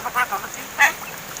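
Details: Pet-raised young mynas about seven months old, kept by their owner and said to have learned to talk; two loud, harsh, buzzy squawks half a second apart, then a softer broken chatter, over a steady hiss.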